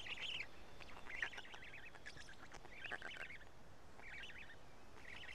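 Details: Feeding time at a Black stork nest in Karula, Estonia, late May 2017, chicks eating fish: rapid raspy chattering bursts, roughly one per second, some longer and scratchier, against a constant low rural hum.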